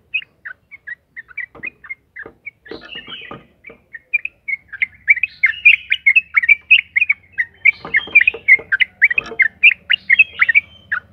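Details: Sooty-headed bulbul in long, fast 'ropel' song used to lure other bulbuls into singing: sparse short whistled notes give way to a dense, rapid run of bubbly chirps with sharp clicks mixed in.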